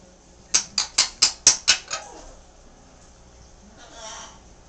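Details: A Timneh African grey parrot chatting away gives a quick run of seven sharp, dry clicks, about four a second, then a soft breathy murmur, perhaps among its cute baby sounds, in a quiet room; a green-winged macaw is kept in another room.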